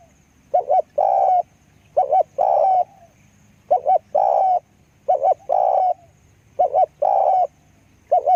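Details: Decoy spotted dove calling steadily, each phrase two quick clipped notes followed by a longer drawn-out coo, repeated about every one and a half seconds, with faint low background hum.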